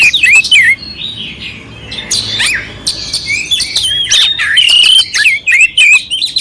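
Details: Kacer, the oriental magpie-robin, in clear rough-filled song used to fire up a passive bird; fast chattering run of chirps and warbled whistles, a softer scratchy middle stretch, then loud rising and falling whistled phrases.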